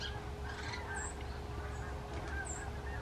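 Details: Canada geese flying in formation overhead, giving a quick cluster of nasal, harmonic-rich honks in the first second, then a few fainter calls trailing off, all over a steady low rumble of wind or distant traffic.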